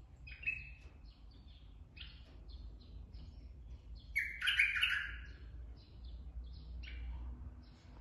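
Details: Bulbul from the forest gives short whistled notes roughly once a second, with a loud liquid warbled burst near the middle and a low background hum throughout.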